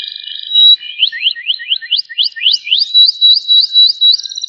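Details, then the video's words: Canary of the panda colour form, Loper type, giving cengkok rapat song: a ladder of fast rising slurred whistles repeated several times a second, climbing gradually, ending in clipped high pulses. "KENARI PANDA GACOR Cengkok Rapat"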